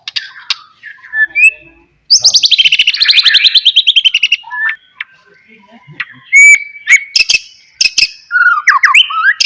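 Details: White-rumped shama, a bird kept to sing as a lure that prompts other shamas to answer; loud rapid trill of repeated notes sweeping down from high pitch, followed by short whistles, clicks and rising phrases with brief pauses.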